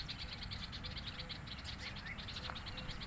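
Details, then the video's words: Sparrows with other birds chirp in a busy chorus of short, high notes repeated several times a second over a steady low rumble. "Sparrow Birds Chirping sound"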